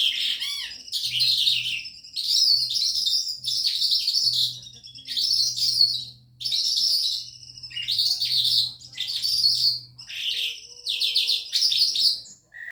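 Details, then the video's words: Calandra lark kept in a cage, singing at night on the day it arrived; dense bursts of harsh chirps, trills and mimic-like whistles in phrases of about a second, separated by brief gaps, over a low steady electrical hum. "Pekling calandra lark..siang malem bunyi burung baru nyampe td pagi malem udah bunyi"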